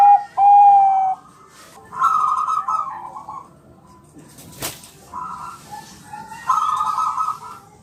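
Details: Bangkok-type zebra dove song used as a training recording to prompt birds to reply: a clear whistled note, then rolling, buzzy trilled phrases near one pitch, with pauses between them.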